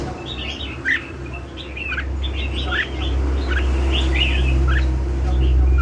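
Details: Red-whiskered bulbul, song in the lân hầu bò style: a steady chain of brisk whistled notes and slurs, over a strong low rumbling noise that grows louder midway.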